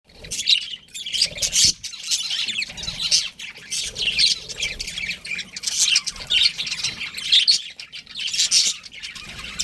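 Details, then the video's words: Budgerigars chirping: bursts of scratchy, high chattering warble come and go irregularly, with short quiet gaps between flurries of rapid twittering notes. "Cute Budgies Chirping Sounds"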